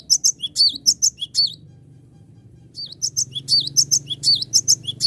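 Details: Cinereous tit in full voice, calling rivals so they join in, used to lure birds: a burst of high, piercing chirps, a gap of about a second and a half, then another fast chirping series.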